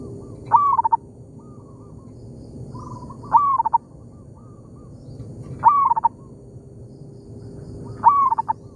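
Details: Local wild zebra dove in an oil palm plantation, answering a decoy bird: four loud cooing phrases, a sharp rising note then a stuttering series of soft notes, every two to three seconds, with fainter answering coos between them.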